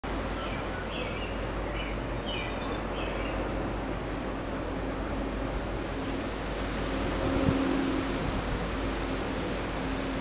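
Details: American redstart singing at Woods Hole, Massachusetts, on 26 May 2014: one quick phrase of very high, thin, sibilant notes ending in a sharp downslur, with faint lower chirps from other birds over a steady low rumble.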